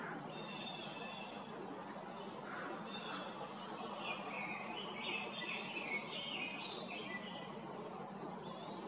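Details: An indigo bunting at West DuPage Woods Forest Preserve sings bright, high, sweet notes in quick paired phrases, mixed with chirps from other birds over a steady background hiss.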